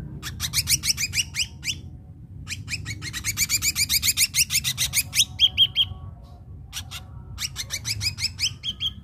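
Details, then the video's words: Ashy drongo (srigunting abu-abu) song used as a lure to train captive drongos: rapid bursts of sharp, high chattering notes in fast runs, broken by brief pauses, with a few clear whistled notes mixed in. "Srigunting Abu Abu Gacor PALING DIMINATI Untuk Pancingan Srigunting Bahan AGAR CEPAT GACOR"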